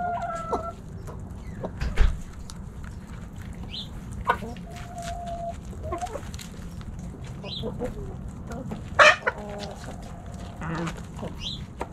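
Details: Backyard hens and roosters snacking at Thanksgiving; scattered short clucks and a few drawn-out tonal calls over steady low rumble, with sharp clicks and pecking noises throughout.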